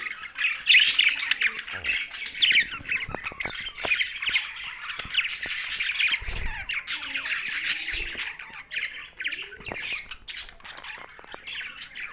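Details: Budgerigars kept together with a parrot, giving dense, continuous chattering chirps and harsh squawks that overlap throughout, with busy bright warbling and no pauses.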